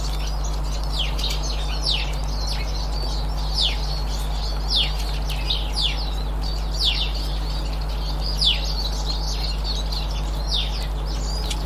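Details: Eurasian siskin calls recorded 18 March 2024: clear, high, downward-sliding whistles repeated roughly once a second among quieter twitters, set against a continuous low mechanical hum.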